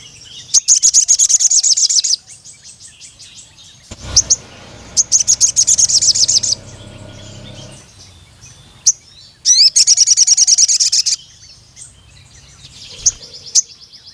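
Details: Crimson Sunbird calling a rival male. Three bursts of fast, very high, sharp ticking trills, each about one to two seconds long, separated by pauses with a low rumbling background and a few single high chips.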